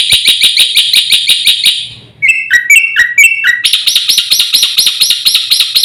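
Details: Javan white starling giving a varied master song meant to excite other birds: a run of sharp repeated chips, then lower two-part slurred whistles, then a quick stream of high ringing notes.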